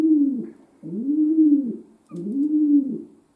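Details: Pet domestic pigeon kept indoors, calling in a small room: low, drawn-out arched coos, three in a row, each rising and then falling, with short pauses between them.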